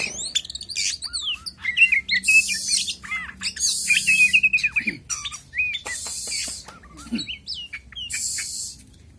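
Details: Oriental magpie-robin, a contest bird in full song before a singing competition; a varied rush of sweet whistles, sharp chips, slurred rising and falling phrases and harsh buzzy hissing bursts, delivered loud and close with little pause.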